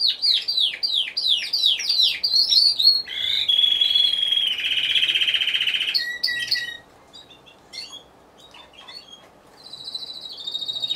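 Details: Timbrado Español contest canary, individual class C2, November 2015 show. The bird opens with a series of rapid descending whistled sweeps, shifts into a sustained buzzing roll, then falls to soft, scattered notes and a quieter closing trill.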